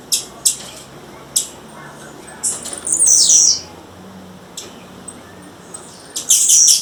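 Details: Wild female blue-black grassquit calling: scattered short high chips and two longer squeaky, buzzy high notes, with faint soft fluttering between calls and low background rustle.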